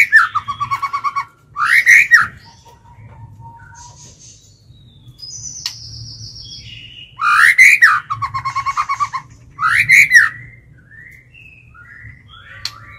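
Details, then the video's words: Caged white-rumped shama lure bird in fighting song to draw out rivals: loud rattling bursts ending in dropping whistles, repeated twice with softer scattered whistles between them, in quiet surroundings. "Chích chòe lửa mồi hót gọi bổi"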